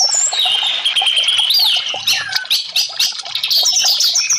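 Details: Loud, energetic orange-headed thrush song, aimed at coaxing silent caged birds to sing, packed with rapid chatter, a long whistle that sweeps down and rises again, and a descending slurred note.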